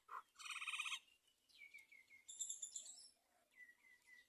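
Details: Baby mynas competing for food from their mother beg: a harsh, raspy burst, then runs of short, high, slightly falling notes repeated in quick series, with thin squeaks above.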